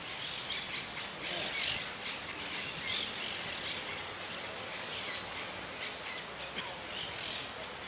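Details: Contest goldfinch at an interclub cup finale, 04-03-18, sings a short burst of bright, high descending notes for about three seconds, then goes quiet, leaving only soft background noise and distant faint chirps.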